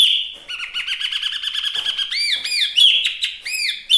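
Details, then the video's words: Lively Chinese hwamei song: a steady high whistled note with rapid trilled ripples, then loud arched whistles and quick slurred phrases. "Suara Asli Wambi Mini/Hwamei Gacor pas buat Masteran dan mikat"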